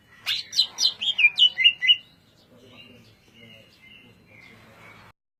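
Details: Greater green leafbird sings a quick descending series of about seven bright whistled notes in ngentrok style, followed by soft, faint drawn-out whistles.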